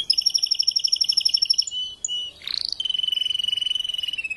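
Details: Caged male Spanish timbrado canary, a breeding and tutor bird, singing after the moult as it slowly unfolds its repertoire: rapid high metallic trills, a short rising sweep, then a long even rattling trill.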